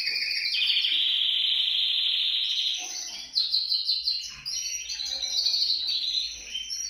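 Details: Canary song meant to encourage other canaries to sing: long sustained rolling trills high up, shifting pitch every second or two into faster chattering tours, continuous and loud throughout.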